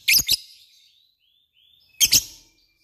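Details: Lovebird uttering two sharp doubled chirps two seconds apart, with a thin faint whistle between them.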